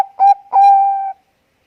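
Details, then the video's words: Bangkok-type zebra dove in active song: a short low note, then a long, level, mellow coo held for about half a second, with clean silence around it. "perkutut bangkok gacor langsung bunyi pancingan ampuh"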